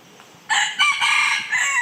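A red junglefowl gives a brief, hoarse crow of about a second and a half: a harsh opening note and a clipped ending, shorter than a farmyard rooster's.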